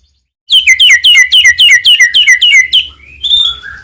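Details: Caged white-rumped shama (murai batu) in full song meant to stir other birds: about twelve quick downslurred whistled notes in an even run, ending in softer rising whistles.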